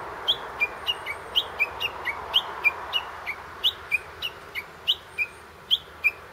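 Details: Japanese bush warbler heard in a tree near a grave, captured handheld on a digital camera: a long series of crisp, high whistled notes, roughly three per second, alternating between two pitches for about six seconds.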